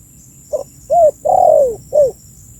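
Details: Spotted dove calling, a recording meant as a lure to draw in birds: one phrase of four low, hollow coos, a short soft note, a fuller coo, a long drawn-out coo sliding downward, then a final falling coo, with a faint high hum behind.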